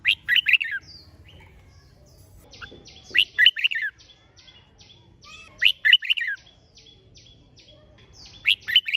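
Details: Red-whiskered bulbul in competition singing, used to prompt birds to sing: loud warbled phrases of several quick slurred notes repeat about every two and a half seconds, with thin high chips from other birds between them.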